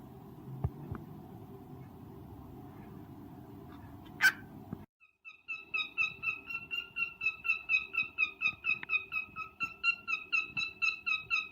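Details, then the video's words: Breeding cockatiel delivers its mating call: after several seconds of low hum and a sharp bang, a long steady series of short, ringing, downslurred notes repeats about four times a second to the end. "Cocktail mating call/sound"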